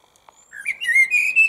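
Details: Close blackbird in a little tree on a parking area at lunchtime, giving a brief rising fluted whistle that settles into a sustained, slightly wavering mellow note.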